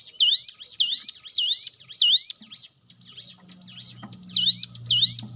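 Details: Hill prinia song, used as a lure to coax a silent caged bird into singing: loud, high upswept whistles repeated about every half second, with a brief pause midway and a low hum behind the later notes.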